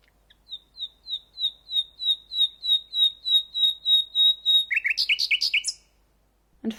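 A song thrush repeats a clear, down-slurred whistle about fourteen times, roughly three per second. It then switches to a quicker, higher phrase repeated several times.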